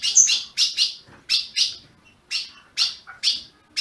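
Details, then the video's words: Ultramarine grosbeak kept in captivity by a Brazilian breeder, chirping to stimulate a caged bird: scattered bright, buzzy chips in pairs, with a short high whistle at the start and gaps of silence between. "Azulão piando, 30 min. para esquentar seu azulão"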